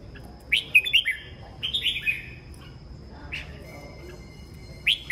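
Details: Morning song of a red-whiskered bulbul: two rapid warbled phrases of bright, looping whistles close together, then a lone sharp note and another phrase starting at the end, with a thin steady whine in the background.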